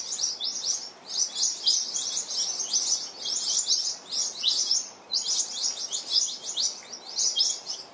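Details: New Holland honeyeaters harassing a resting mother Western Grey kangaroo with her joey, giving rapid high-pitched chirps in dense overlapping bursts, steady chatter throughout.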